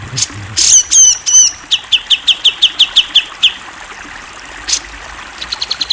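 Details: Grey-cheeked bulbul (cucak jenggot), a national champion bird, in a masteran training recording of clear, lively song: high, swooping whistled notes, then a rapid series of sharp chips repeated about five times per second, and a short buzzy trill at the end.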